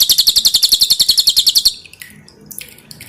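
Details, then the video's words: Pin-striped tit-babbler song recorded as training material for kept songbirds: one burst of about fifteen sharp, high, rapidly repeated notes lasting under two seconds, then a quiet tail with a few faint chirps. "SUARA BURUNG CILILIN"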